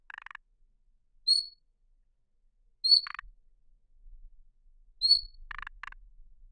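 Thrush nightingale phrases: a clear, high, pure whistle followed by dry, rattling clicks, repeated about every two seconds against a quiet background.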